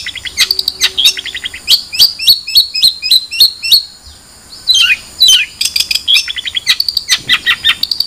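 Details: Long-tailed shrike singing: a busy run of sharp chirps and clicks, then a series of about eight similar slurred whistled notes repeated quickly, followed by more mixed chattering and high ticking notes.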